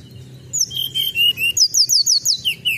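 A Sunda robin gives high, clear whistles: a few longer level notes, then a quick run of about eight sharp, downslurred notes. A faint low hum lies underneath.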